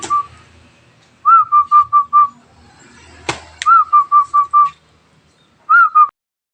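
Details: Freshly caught wild local zebra dove starting to sing: two loud phrases of five or six clear, bell-like coos, each opening with a higher sliding note, a sharp knock between them and a short third phrase.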